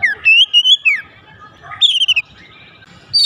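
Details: Oriental magpie-robin whistling to incite other magpie-robins to sing: a rising then falling wavering phrase, a short gap, a high descending trill, and a sharp closing note.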